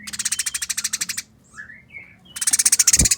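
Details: A long rapid string of grating notes from fighting Eurasian tree sparrows, then a gap with soft squeaky calls, then another intense chatter burst ending on a low thump.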